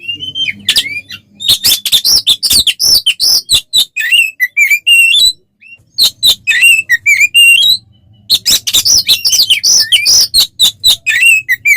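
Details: Provocative fighting song of an oriental magpie-robin in 'ngeplong' style: long stretches of fast, varied whistles, trills and rasping notes, interrupted by two brief pauses before the full outpouring resumes.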